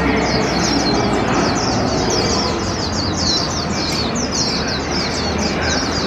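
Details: Hand-raised caged Warbling white-eye, one year eight months old, on its first 2021 park outing beside a loud open-air glove puppet show. Rapid, high, thin chirped notes repeat steadily throughout over heavy broadband performance and crowd noise.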